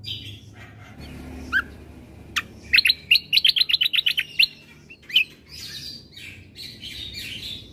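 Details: White-eye combo song meant to agitate listening birds: scattered sharp notes, then a quick series of about a dozen bright repeated notes, followed by softer buzzy warbling, over a low hum.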